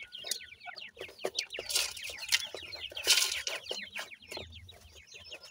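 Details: A brood of young francolins with the family keeps up crowded, high, descending peeps. Loud rustling bursts swell twice amid the calling.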